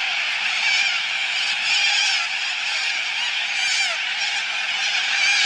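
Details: A flock of little corellas at Biloela keeps up a continuous chorus of harsh, grating screeches, many overlapping calls with no pause.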